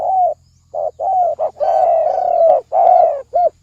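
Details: Thổ sấm đồng style spotted dove cooing used to lure males and females, with brief coos building to a long, drawn-out mellow coo that falls gradually, then a final short note.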